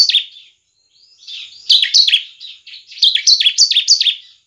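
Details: Semi-crystal bar-winged prinia singing to stir other prinias: a brief chirp, pause, then two rapid strings of bright, slightly downslurred high notes, each note clipped and close-spaced.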